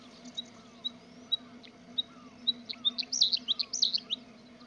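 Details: Bluethroat in song, opening with evenly spaced single high ticks about twice a second, then breaking into a quick jumble of bright, varied chirps and trills; faint low background hum throughout.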